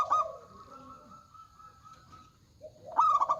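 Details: The end of a local zebra dove's phrase is followed by a long sustained tone and quiet. A new rapid burst of pulsed ringing coo notes starts at the close.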